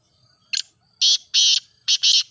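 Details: Grey francolin (teetar) call meant to set other francolins calling: a brief sharp note followed by four loud, harsh, grating bursts, the last two paired closely together.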